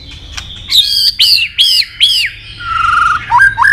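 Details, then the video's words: Medan-type white-rumped shama singing steadily with a full repertoire of mimicked fill-ins: a high whistle, then four arched whistled notes at a steady pace, and lower sliding whistles at the end. "Murai batu gacor isian super lengkap"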